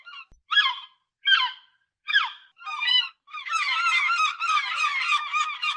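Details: Coastal gulls giving shrill squeals and screeches. A few separate down-slurred cries open, then several birds call over each other in a dense, continuous, raucous group chorus.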